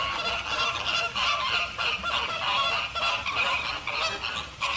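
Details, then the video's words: American flamingos (Phoenicopterus ruber) honk in a dense, goose-like chorus, with many nasal calls overlapping almost without pause. "Flamingo bird sound / call / noise | American"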